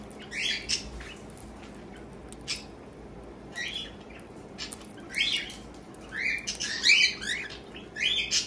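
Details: A cockatiel, a pet, gives short, scratchy chirps and squawks in scattered bursts over a quiet background while eating her morning breakfast, with small bites and head tilts.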